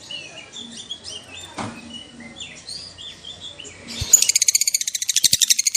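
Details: Lovebird in a recording meant to stir other lovebirds: scattered soft twittering and whistled notes, then a fast, loud, rattling trill bursting in for the last seconds.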